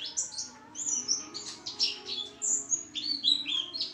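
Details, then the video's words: Pleci song delivered nonstop: squeaky, very high chirps and brief sliding whistles in quick bursts, pulsing steadily in loudness. "pleci gacor"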